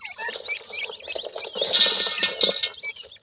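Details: Grey francolin (teetar) chicks being fed by their parents: dense, overlapping high chirps and short peeps tumbling over each other, loudest in the middle, with soft rustling beneath.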